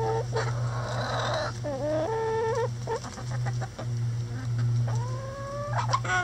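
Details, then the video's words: Backyard rooster in a coop, kept busy with a hanging head of cabbage as enrichment: harsh, drawn-out crowing phrases that rise and then hold, mixed with short clucks from the flock over a steady low hum. "Rooster Crowing Happy Chicken Sounds"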